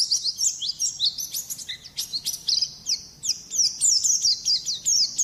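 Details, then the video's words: Energetic white-eye warbling, quick sharp chirps around three per second mixed with longer sweeping whistles, continuous and shrill, faint hum in the background. "suara burung pleci gacor juara"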